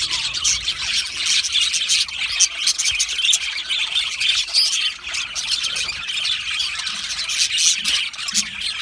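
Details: Many budgerigars in an aviary chattering at once, a constant scratchy din of chirps and squawks that rises and falls slightly.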